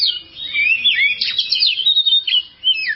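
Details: Oriental magpie-robin (kacer) in a long tutor recording for caged birds: rich whistled phrases sliding up and down, fast notes and slurred trills, nearly unbroken across three seconds with a short dip midway.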